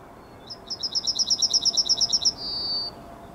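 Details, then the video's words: Yellowhammer morning song on 9 May 2021: a quick run of about fourteen high, thin repeated notes ending on one long drawn-out note, with faint background hiss. "Trznadel i jego poranny śpiew"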